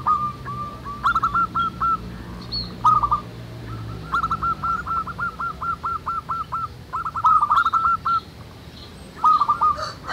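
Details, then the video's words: Several local zebra doves in the wild sing at once, their song used to draw other doves into singing. Overlapping phrases of quick, bouncy hooked coos repeat through the clip, with faint high chirps and a low background rumble. "SUARA BURUNG PERKUTUT MANGGUNG RAMAI DI ALAM"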